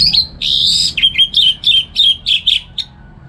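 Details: Home-kept orange-headed thrush (anis merah) in Singaraja, North Bali, singing in the morning in ngeplong style to train other songbirds: a loud sustained whistled phrase followed by about eight evenly spaced, rich warbled notes.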